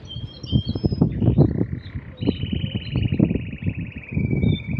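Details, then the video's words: Pair of male canaries singing alternately without pause; brief high notes open into a long, even, slightly falling rolled trill, with steady low rumbling noise underneath. "Два кенара поют по очереди, без остановки."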